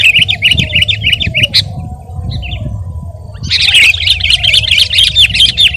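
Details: Sooty-headed bulbul in full, energetic song: fast runs of bright, chirping, wavering notes that break off and then restart even denser after a short pause. A faint low hum sits underneath.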